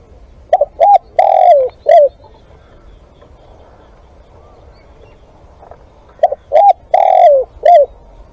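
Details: Spotted dove used as a live decoy (ต่อสด), giving two phrases several seconds apart. Each has two short hollow coos, a longer coo slurring downward, and a final short coo. Soft background hiss.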